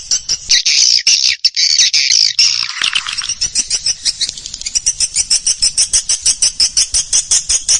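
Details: Swiftlet sounds played by Indonesian farmers to draw swiftlets to roost: dense high twittering that gives way to a fast, even train of sharp clicking chirps, several per second.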